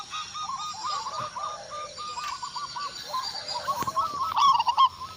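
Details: Zebra dove of a local Indonesian strain responding to a lure: a long run of quiet, evenly spaced cooing notes, then a louder rapid stuttering phrase near the end.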